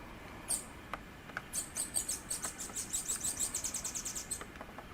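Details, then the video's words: Bananaquit singing in nature in Pernambuco, Brazil: a fast, very high, sibilant trill of rapid repeated notes lasting nearly three seconds, preceded by a single sharp high chip, against faint background hiss. "CAMBACICA CHAMANDO E CANTANDO MUITO NA NATUREZA guriatã-de-coqueiro (Pernambuco) (Coereba flaveola)"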